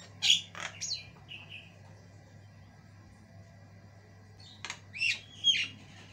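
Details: Javan myna with white eyes singing non-stop in a varied, long song: a few rasping squawks and short sliding whistles, a long pause, then more harsh notes with a whistle, over a faint constant low hum.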